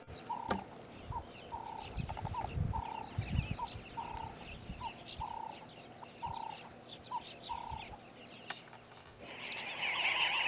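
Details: Namaqua sandgrouse giving short, mellow mid-pitched notes about twice a second, with higher twittering from other birds, low rustles and a hissy burst near the end; these sandgrouse nest in sand dunes and may fly 30 km for water.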